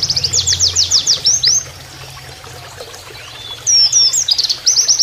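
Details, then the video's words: Oriental white-eye singing a canary-like training song: loud sweeping downslurred notes in quick succession, a pause with flowing water and faint notes, then renewed looping whistles and a fast chip series. "MASTERAN PLECI NEMBAK KENARIAN"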